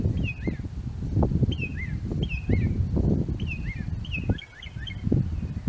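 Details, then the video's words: Northern mockingbird singing from an apple tree, with a steady run of clear, whistled, down-slurred phrases, each note doubled, then a quicker jumble of chirps near the end. Low rumbling background noise continues throughout. "Mockingbird song"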